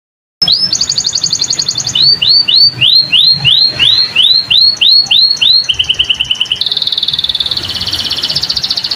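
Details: Canary in full song, a strong singing bird: a steady high trill, then a long run of repeated downslurred whistled notes at about three per second, shifting to buzzy rolling trills near the end.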